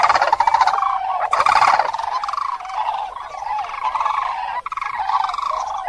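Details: Common crane calls, loud continuous rolling trumpeting notes with a buzzy, harmonic-rich tone, overlapping and wavering without pause across six seconds, suggesting several cranes calling together.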